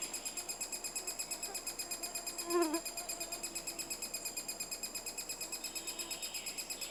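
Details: Three-toed woodpecker in Estonia, nesting season. Fast, high, buzzy pulses repeat continuously. A brief louder tonal squeal breaks in halfway through.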